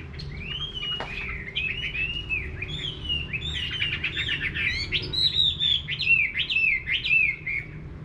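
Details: Chinese hwamei in a rural garden delivering clear, repeated upslurred whistles. The notes become faster and louder toward the end, with a faint low hum behind them.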